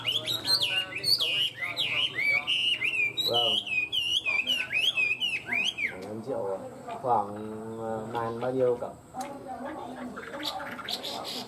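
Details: Tame caged Chinese hwamei pouring out quick, looping whistled phrases for about six seconds, after which a man's speech becomes the main sound with a few bird notes between.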